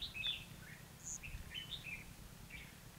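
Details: Red-whiskered bulbul in a trap-fight session on 29/2/2016, a caged lure bird singing to provoke rivals; short chirpy whistled phrases and sharp notes, several overlapping, with low background hum.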